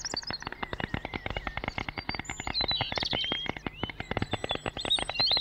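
A white stork's rapid, dry bill-clattering runs as a steady wooden rattle of about ten clacks a second. Faint high chirps from small birds sound in the background.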